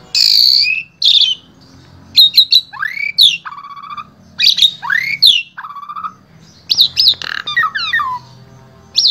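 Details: Asian pied starling in Wonosobo, Central Java, Indonesia, singing as a vocal tutor for other starlings: a harsh buzzy note, then upslurred whistles, a clear level whistle, rising notes and a tumbling descending series, with short pauses.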